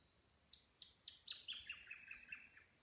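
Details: Wild lyrebird singing on a Sunday morning in the Cathedral Ranges near the Farmyard campsite, 'Song A' of traditional lyrebird cadence: a run of sharp descending whistled notes, about five per second, sliding lower and merging into a buzzy cascade.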